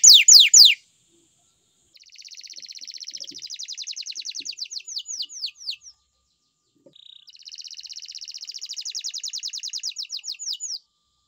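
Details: Canary giving quick whistled notes, then two long, even, fast trills separated by a pause, each ending in a few slurred notes.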